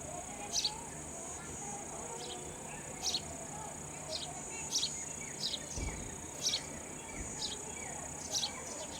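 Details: Baby sparrows calling while a parent feeds them raw insects: sharp, high, descending cheeps repeated roughly every second, sometimes in pairs, against a constant thin high whine and soft low hum.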